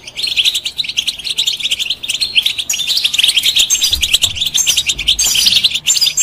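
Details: Dense, continuous twittering and tinkling song of a European goldfinch, used to encourage other birds to sing, with fast liquid notes and buzzy trills running without a break.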